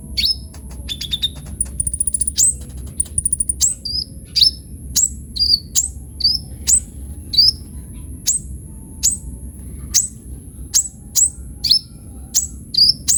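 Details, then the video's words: Lively sunbird song full of fills, for luring and tutoring birds; opens with quick stuttering chips, then evenly spaced high chirps and slurred whistles roughly every half second, over a faint steady high tone. "KOLIBRI NINJA GACOR FULL ISIAN"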